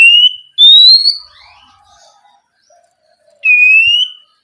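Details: Sparse whistling from an Oriental magpie-robin in night-time 'ngeplong' style, used to coax spotted juveniles into song: two long, pure, slightly rising whistles three seconds apart, with faint quiet notes between them.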